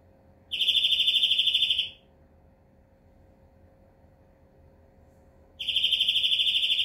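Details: European greenfinch delivering a fast, steady high trill of about one and a half seconds, a long silent gap, then the same trill starting again.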